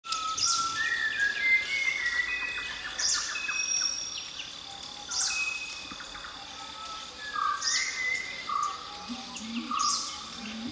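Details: Malabar whistling thrush at Galibeedu, Madikeri, India, giving loose, rambling clear whistles that slide up and down, with brief higher chirps from other birds about every two to three seconds.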